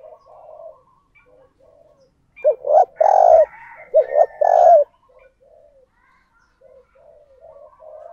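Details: Decoy spotted dove giving a calling coo to draw in wild doves. One loud, low phrase of short stuttering notes and two long rolling coos, with soft distant dove cooing before and after.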